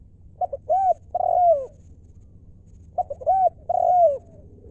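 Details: Wild-stock decoy spotted dove giving its 'lew' style call, the 'mor lam' type: quick stuttering short notes leading into two drawn-out, gently falling coos, phrase heard twice about two and a half seconds apart, steady background hum.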